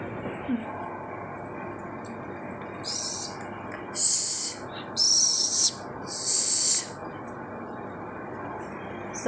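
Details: A pet grey parrot at play gives three or four harsh, breathy hisses, each about half a second long, over a faint indoor hum.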